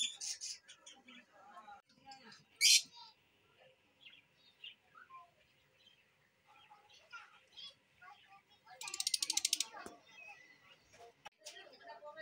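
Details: Lutino lovebirds kept at a breeding farm, giving a mix of scratchy chirps and twittering, one loud sharp squeak early on and a burst of rapid buzzy chatter later, with soft background sounds.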